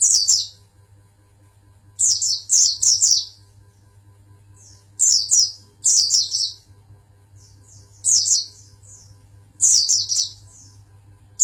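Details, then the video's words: Champion oriental white-eye from Pangandaran singing very high, rapid twittering bursts. Each burst lasts about a second and they come every two to three seconds, over a steady low electrical hum. "Burung pleci jawara pangandaran"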